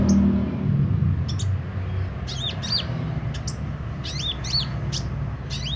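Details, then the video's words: Bold, chatty sunbird singing open-beaked: sparse high ticks mixed with looping, downcurved whistled notes, some doubled, over a low droning background. "Burung kolibri ninja mental baja buka paruh gacor dor"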